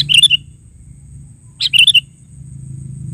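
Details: Sooty-headed bulbul voicing two quick chirpy phrases, each a rapid cluster of bright notes, with a low hum underneath.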